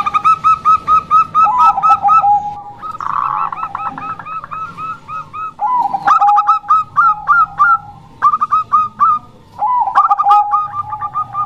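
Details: Female zebra dove of the Bangkok type, used to lure wild or reluctant males: repeated bursts of quick clipped coos alternating with low drawn-out tones, one buzzy rattled phrase, and clear pauses between phrases.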